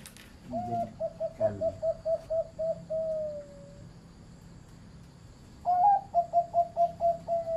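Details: Medium-pitched Zebra dove kept on a farm, delivering a rapid series of short even coo notes ending in a drawn-out falling tone, then a new burst of quick repeated coos after a pause; a few faint rustles.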